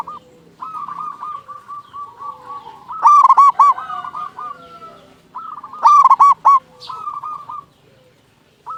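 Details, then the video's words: Local zebra dove in full song, used as a lure to set other zebra doves singing: two loud bursts of rapid, clipped, ringing coo notes, with softer rolling cooing from other doves between them. "Perkutut Lokal Gacor Suara Paling Ampuh Untuk Pancingan Burung Perkutut Agar Bunyi"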